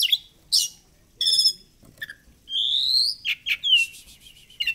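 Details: Oriental magpie-robin song, a lure for getting the bird to spread its tail: loud chirps, a long rising whistled slur, buzzy harmonic notes and sharp short calls in quick succession, background quiet.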